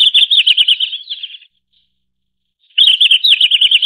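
Red-flanked bluetail giving two bright, high, rapidly warbled phrases of about a second and a half each, separated by a pause of silence; no other sounds.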